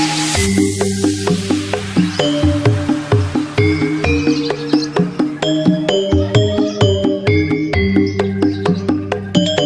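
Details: Electronic music with a steady beat and repeated synthetic tones and chimes, with no animal voice heard.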